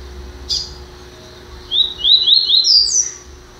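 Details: Double-collared seedeater, recently acquired, gives a single sharp chip, then a rapid song of ascending whistled notes that climbs to a high drawn-out slur, against a low steady hum.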